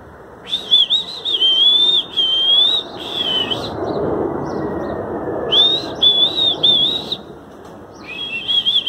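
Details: Southern lapwings flying overhead give loud, harsh, strident calls in rapid bursts of grating notes, with pauses between bouts and a steady rush of wind, before flying off.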